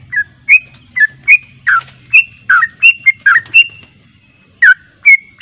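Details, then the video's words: Yellow-vented bulbul song from a response lure: loud, slurred chirps in irregular clusters with a short lull before final notes, over a low steady hum. "PANCINGAN TRUCUK JANGAN Di Ragukan Langsung Nyaut"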